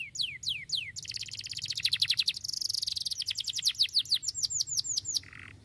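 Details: Sharp, piercing song from a Starblue canary: three slow falling whistles, then a fast dense trill, buzzy rolling phrases and clipped looping notes, ending in a short rasp.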